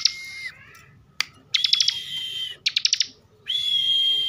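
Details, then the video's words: Bren-style song of a kept bar-winged prinia from Slawi, Tegal, Central Java: a held whistle dropping off, a sharp snap, then sustained high buzzing tones broken by rapid clicking bursts. "kicauan Ciblek bren"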